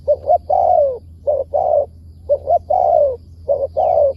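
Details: Wild spotted dove responding to a decoy, a target bird with a good wild-style voice; closely spaced coo phrases, paired short notes leading into a long sliding-down coo, repeated about once a second, faint hum behind.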